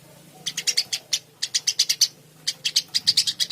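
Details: Energetic song of a Eurasian tree sparrow, a steady run of crisp, high chirps delivered in rapid groups of four to six, with brief gaps between the groups.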